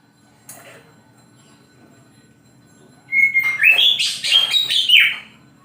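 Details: Oriental magpie-robin morning song: after three seconds of near silence, a rich burst of whistled notes with sharp buzzy accents rising and falling.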